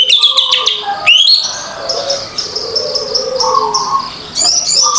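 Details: Orange-headed thrush singing in the open, continuous ngeplong style, used as a lure to get silent birds singing: bright high chirping phrases at start and end, a fast upward sweep, and softer lower whistles with a steady high tone behind.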